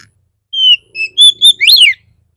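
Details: Oriental magpie-robin song played to provoke other magpie-robins into singing: a short series of clear whistled notes, a long flat whistle, shorter steady tones, then a rising-and-falling sweep, on a quiet background.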